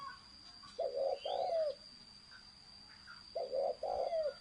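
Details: Thổ sấm style coo of a spotted dove: a pair of deep, slightly wavering coos, silence of about a second and a half, then another matched pair, faint bird chirps and a steady high hum behind.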